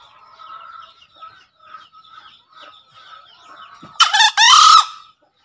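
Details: Several seconds of light, scattered bird twittering give way to a loud, abrupt green junglefowl crow, a short hoarse note and a longer rasping one, ending with a clean stop; a master call for prompting birds to crow.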